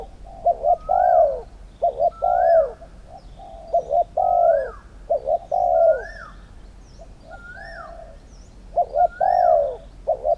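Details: At a Thai dove-singing competition, a spotted dove repeats a phrase of stuttering short coos and a long falling coo, about every two seconds. Another bird answers with a thin, high arching whistle after each phrase.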